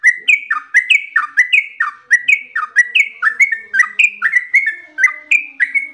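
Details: Fast, continuous whistling from a trucukan (yellow-vented bulbul) in gacor ropel style: loud swooping notes chained tightly together, rising and falling in quick succession against a quiet background.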